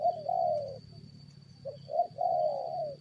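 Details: Spotted dove recorded during a fight with wild birds: two low, smooth drawn-out coos, each preceded by shorter soft notes, with a faint steady high tone running underneath.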